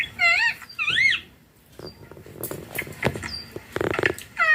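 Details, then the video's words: Ringneck green parrot at home, talking: two loud wavering harmonic utterances in quick succession open the clip, followed by quiet clicks and rustling and one more short burst at the end. "My ringneck green parrot taking"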